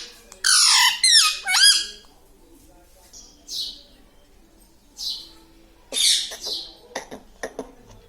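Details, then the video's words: Talking parrot in a room; two loud, grating, voice-like syllables open, followed by softer scattered squeaks and short hissy notes with quiet gaps. "Papa Mummy Bolne Wala Tota - Talking Parrot - Me Tota Me Tota"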